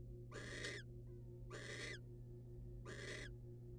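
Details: Wild barn owl pair, male bringing prey rodent to the female: three harsh broadband screeches spaced over a second apart, a faint thin whistle between them, low hum throughout.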